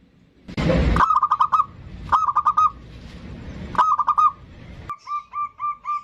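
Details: Bodronoyo zebra dove singing steadily, used as a lure to start other birds singing. A loud noisy burst opens, then short clusters of quick bubbling coos repeat, with a final run of softer evenly spaced notes.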